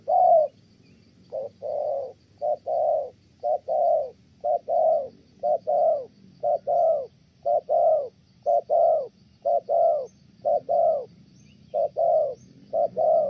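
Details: Good-voiced spotted dove from Kon Tum, Vietnam, cooing at length before a female disrupts it: a long run of about a dozen mellow short-long hoot pairs, one per second, faint high chirps behind.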